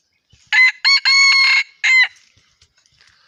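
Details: Loud crowing from an F1 junglefowl rooster in four segments: two brief notes, a drawn-out harsh middle note, then a short clipped ending, followed by near silence with faint ticks.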